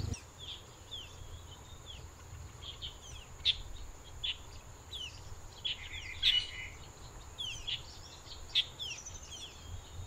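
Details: Black bulbul perched in an invasive leucaena tree, giving scattered short squeaky chirps and slurred whistled notes, some clustered in quick bursts, over a steady thin high whine and low background rumble.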